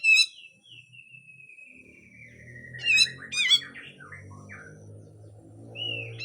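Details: Full harsh song of a grey-cheeked bulbul, made as songbird training audio. A long whistle slides slowly downward, broken by two harsh bursts and short twisting notes, over a steady low hum.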